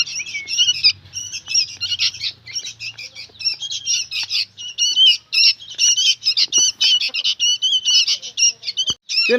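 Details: Dense scratchy chatter of young sooty-headed bulbuls, harsh squawks tumbling together nearly without gaps, with a low hum in the first seconds.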